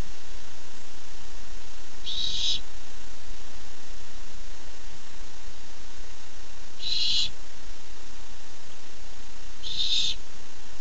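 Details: Young barn owl, excited at getting its first treat, recorded July 13, 2015: three harsh, hissing screeches, each about half a second, spaced several seconds apart over a steady low background hum.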